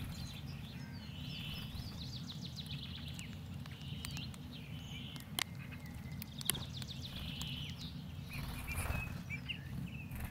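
Bramblings giving short, chirpy, slightly nasal calls in loose bursts over a steady low rumble of wind or distant noise, with a couple of sharp clicks.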